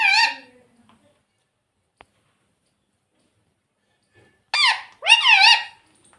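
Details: Talking ringneck parrot, a household pet, repeating "Mummy Papa": one short shrill word at the start, a long quiet gap with a single click, then two more squeaky, warbling syllables.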